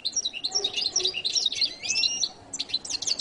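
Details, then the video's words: Short burst of goldfinch song: quick, high, tumbling twitters with a brief rising whistle, then a few sharp chirps. "canto de jilguero latino"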